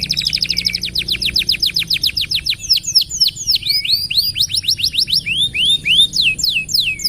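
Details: Persistent canary song recorded to train other songbirds: a very rapid high trill that slows into looping, descending whistles repeated in quick succession, with a faint low hum behind.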